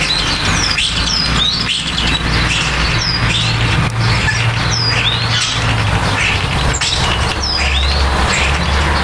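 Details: Starlings busy at the nest, building it: sharp downslurred whistles come in quick pairs every second or so, each dropping steeply in pitch, above a constant low mechanical hum.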